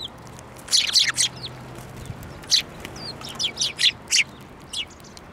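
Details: Sparrows coming to be fed beside a field of flowering rapeseed at a Tenmangu shrine, 9 February 2024: bright, sharp chirps in short bursts, some doubled, scattered over five seconds with a faint low hum beneath.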